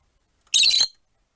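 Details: One rosy-faced lovebird among four kept caged near a window lets out a single short, harsh, rasping squawk.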